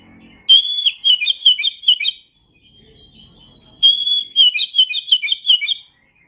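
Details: Oriental magpie-robin (kacer), from an Indonesian masteran song recording: two loud bursts of song, each opening with a clear whistled note and followed by rapid, rippling warbled notes. A quiet pause separates them, with faint low background noise.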